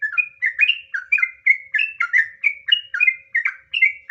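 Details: :Sooty-headed bulbul (trucukan) in lively gacor song, nggaruda ngropel style, a long rolling lure song meant to provoke other trucukan into singing: short bubbly whistled notes, two to three per half second, steady chattering rhythm, no other sounds.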